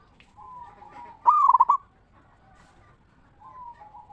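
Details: Local zebra dove giving a ngeristal-style lure song intended to make other zebra doves answer. A single loud, rapidly pulsed coo phrase sits between softer, steady coos before and after it.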